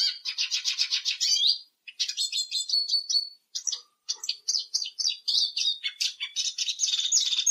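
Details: Eurasian siskin in steady song: a rapid rattling trill, then continuous bright twittering with short whistled slurs and chattering runs, all high-pitched, with only brief gaps.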